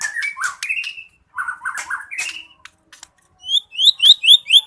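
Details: Murai batu, the white-rumped shama, singing loudly: rough, slurred chattering phrases followed by a run of clear, high, downward-flicking whistles repeated quickly toward the end.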